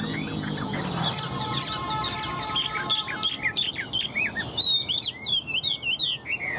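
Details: Tame caged Chinese Hwamei with a fanned tail, said to flick its tail like a laughingthrush as it sings: rich, fast, varied song of sharp slurred whistles and chirps, growing louder into quick repeated bright notes near the end.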